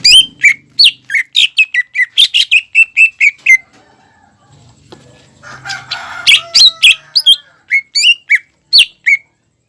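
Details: Greater green leafbird in full song meant to stimulate young birds to sing: rapid bursts of sharp, piercing downslurred whistles, a short pause, then another burst of bright repeated notes.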